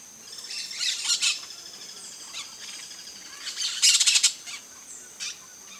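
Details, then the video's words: Flock of peach-fronted parakeets at a feeder in Brazil, giving harsh, scratchy squawks in irregular bursts, loudest in a rapid chattering cluster near the four-second mark. "PERIQUITO-REI bando (EUPSITTULA AUREA), PEACH-FRONTED PARAKEET, Jandaia-estrela no comedouro."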